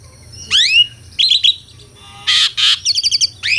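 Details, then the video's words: Asian pied starling, known locally as jalak suren, singing in a lively, full-voiced way: rising whistled sweeps, short buzzy bursts and harsh grating notes, with a rapid stuttering series near the end. "SUARA KICAUAN BURUNG JALAK - JALAK SUREN GACOR MERDU SEKALI..!!"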